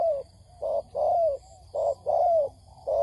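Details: Spotted dove cooing on a trapping lure meant to stir wild birds quickly: soft, low, hollow notes, a short one followed by a longer slurred one, repeated in pairs over a faint background hiss.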